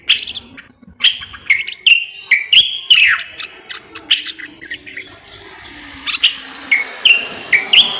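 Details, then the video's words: Common bulbul from Morocco singing sweet whistled notes and quick chirps in a steady sequence, with a soft low hum and background hiss behind it. "استرخاء مع تغريد طائر البلبل المغربي صوت صفير البلابل"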